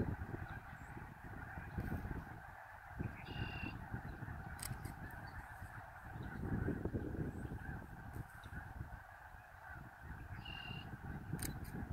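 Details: Huge gathering of snow geese at Middle Creek, 23 February 2019, a continuous overlapping clamor of honks swelling and fading, with a few higher squeaky notes above the roar.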